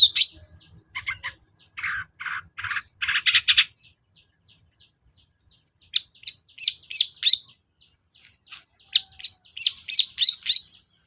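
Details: Cendet lure song, meant to trigger a sluggish long-tailed shrike into song: harsh rasping buzzy notes give way to rapid, sharp high chips delivered in quick runs.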